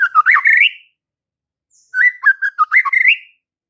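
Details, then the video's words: White-rumped shama, a strongly singing bird used to provoke fighter males, giving two rich whistled phrases of slurred, warbling notes around mid pitch, each rising at the end, separated by a short pause. "MURAI BATU FIGHTER akan TERPANCING EMOSI NYA dengan Murai Batu GACOR INI"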